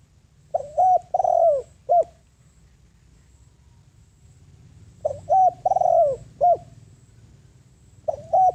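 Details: Lure spotted dove calling to attract wild doves; three mellow cooing phrases, each of short hoots around a longer falling coo, repeated roughly every four seconds with quiet gaps between.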